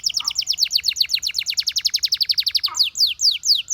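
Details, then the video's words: Dancing canaries singing a long, steady rolling trill of sharp notes, roughly eight per second, ending in a few slower downward-sweeping whistles. "The Sound of Dancing Canaries"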